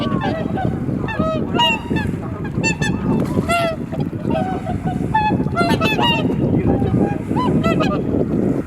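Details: Many swans call together at first light on Kotoku-numa pond in Japan. Loud, overlapping nasal 'koo-koo' notes, some rising and some falling, ring out almost without pause over steady wind noise on a camera's built-in microphone.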